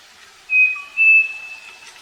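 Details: Striped cuckoo singing live on a farm: one whistled couplet, a brief tone and then a longer, slightly higher note fading out, with a faint lower whistle beneath.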